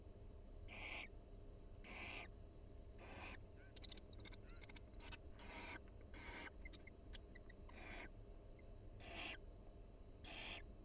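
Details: A mated pair of barn owls chatting in their nest box at the University of Florida: about ten short, hoarse, hissy bursts roughly a second apart, with a patch of sharp clicks and taps in the middle.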